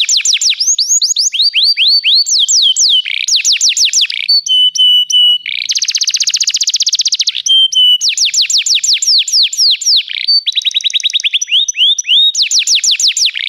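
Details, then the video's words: Continuous canary training song changing between tours: fast falling whistled sweeps, flat held piping notes, a dense buzzy rattle, and more rapid trills, all loud and close with no other sounds. "O melhor canário canário para treinar seu canário"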